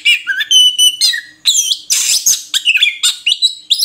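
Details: Brief burst of murai kampung (Oriental magpie-robin) song: clear whistled notes, a noisy harsh rasp in the middle, then rapid chirping phrases.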